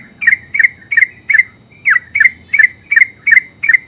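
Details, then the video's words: Terucuk, the yellow-vented bulbul, singing ngeropel-style: evenly spaced doubled chirps, lively and liquid, coming nearly three times per second with one brief hitch. "Terucuk full suara ngeropel"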